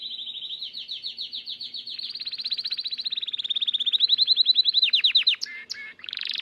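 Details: Gloster canary beginning to come into breeding condition, delivering a continuous high trill that speeds up and grows louder, shifting pitch slightly, then breaking into sharp chips and a buzzy roll.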